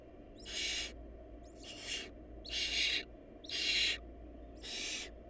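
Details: Hungry barn owl nestlings calling with five harsh, breathy screeches of varying loudness, roughly one per second, each starting with a slight rising edge, over a steady low hum.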